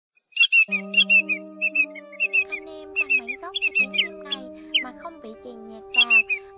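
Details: Common greenshank calls from August 2022: clear ringing notes in quick groups of two to three, repeated over and over, with a steady low musical drone throughout and some sweeping chirps from other birds.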